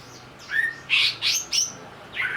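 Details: Greater green leafbird provoked into singing while agitated: a short run of loud, sharp whistled notes, some sliding downward and others up-swept, with brief pauses between them.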